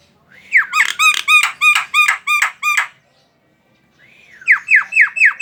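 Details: Javan myna song meant to provoke other mynas into singing: a swooping slur opens a run of about eight ringing, nasal notes at a steady pace, then after a gap a rising whistle and four quick down-slurred notes.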